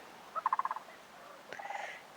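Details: Sandhill crane in spring, during migration, gives a rolling, rattling trumpet of about seven quick pulses, then a second, higher, rougher rattle a moment later; otherwise quiet.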